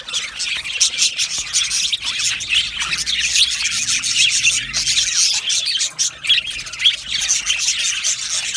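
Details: Budgies singing and chirping in an aviary colony: rasping, scratchy warbles and chirps from many birds, with a faint low hum in the middle.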